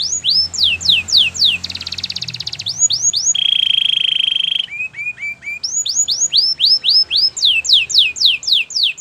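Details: Canary with white plumage singing a training song: swept whistles, a dense buzzy trill, more sweeps, a low rattling roll, then looping whistled notes again over a faint low hum.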